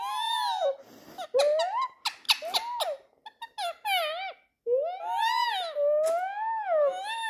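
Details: Pet ringneck parakeet squabbling with a person indoors: loud, harsh screeches with wavering, bending pitch, some drawn out and some clipped, broken by short squeaky chirps, with music and laughter in the background.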